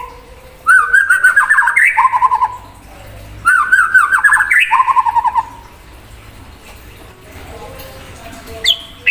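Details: White-rumped shama singing hard to provoke an untrained shama: two loud bursts of rapid chattering warble with fast stuttered notes sliding up and down, separated by a pause, then a lone high whistle.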